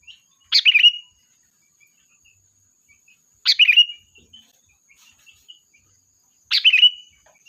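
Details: Lure song of a sooty-headed bulbul used to call the flock: three liquid, chattering phrases roughly three seconds apart, with faint ticks between them.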